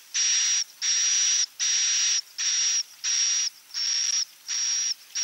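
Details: Swiftlet-attracting roosting call of the edible-nest swiftlet in klepek-klepek style: a series of eight harsh, buzzing bursts topped by a thin high tone, evenly spaced with short silences between.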